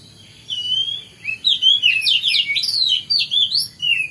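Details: Morning song of an Oriental magpie-robin: one long whistle, then a rapid, varied run of rising and falling whistled notes and warbles.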